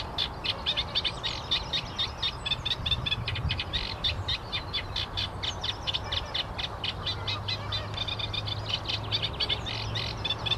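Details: Song of a Eurasian reed warbler, a dense, hurried chatter of harsh clicks and scratchy notes tumbling along with little pause, over a steady low hum.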